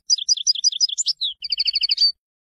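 A European goldfinch sings a quick, tinkling run of high twittering notes, then a faster trilled burst ending in a bright buzzy note; nothing else is heard.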